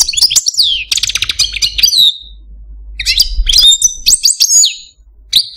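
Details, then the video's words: Caged male goldfinch of the Algerian parva form: quick bursts of sharp twittering and rattling trills, a drawn-out whistle ending one phrase, a short break, then more bright chirps and a liquid whistled note. "Algerian Parva goldfinch, Chardonneret, Cardelino, Jilguero Stieglitz, Stillits"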